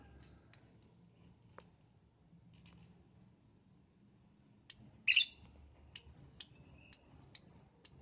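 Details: Lovebird heard in the morning, its chirps used to prompt other lovebirds to sing: quiet start, then from midway a run of sharp, high chirps about every half second, each ending in a short ringing tail.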